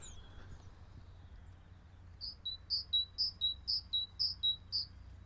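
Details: Great tit giving its 'teacher-teacher' phrase, one of its most common calls, heard in the background on a walk at sunrise: high two-note pairs, higher then lower, about twice a second, over a low outdoor rumble with a faint earlier whistle.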